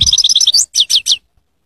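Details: Goldfinch singing: quick, bright twittering notes repeated rapidly, followed by three louder downward-sweeping chirps before the phrase stops.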